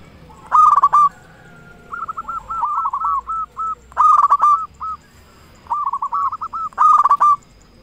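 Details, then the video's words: Local zebra dove, a strong, frequent singer, heard as a lure to draw song from other zebra doves; three loud rolling coo bursts alternate with softer strings of short hooked notes, evenly repeated over the whole stretch. "Perkutut lokal gacor suara besar cocok untuk pancingan burung perkutut supaya bunyi"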